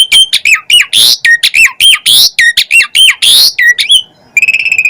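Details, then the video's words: An Asian pied starling sings busily in a full fill-in style said to rouse other starlings. Ringing whistles bend down and up, mixed with harsh rasping bursts, then a fast series of thin ticking notes at the end. "Jalak Suren Gacor Full Isian"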